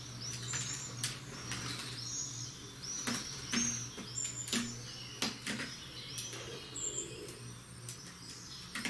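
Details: European greenfinch on a balcony: a run of short, high whistled and twittering notes, some with curved, slurred shapes, repeated through the clip among frequent sharp clicks and knocks nearby.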